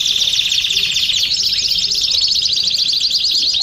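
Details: Several domestic canaries singing at once, producing a steady shrill stream of very fast trills and rattling rolls with no gaps, voices layered over one another.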